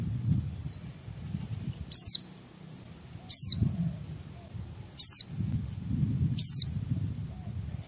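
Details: White-eye in ngalas singing style, played to stimulate other white-eyes: single high, sharply falling whistles repeated about every one and a half seconds, with faint softer notes and a steady low rumble beneath.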